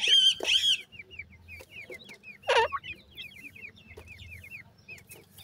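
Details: Chicks of grey francolin peeping steadily: a long series of brief, high, curled notes about two or three per second, opened by louder wavering cries and broken by one harsh burst midway.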